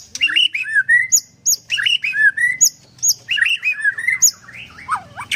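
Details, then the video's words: White-rumped shama, called murai batu, at a Kendal bird farm: repeated phrases of rich rolling whistles and high sharp notes, three similar phrases in about five seconds, ending in a lower swooping flourish. "Murai batu nembak sebelah mati"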